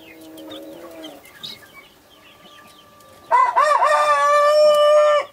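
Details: Naked neck mother hen with Brahma, Australorp and Sussex chicks; soft peeps and a steady tone, then a loud harmonic-rich rooster crow lasting about two seconds.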